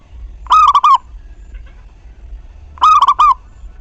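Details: Two loud stuttering cooed phrases from a local zebra dove, about two and a half seconds apart, played to stimulate other doves to sing. The gap between them is quiet.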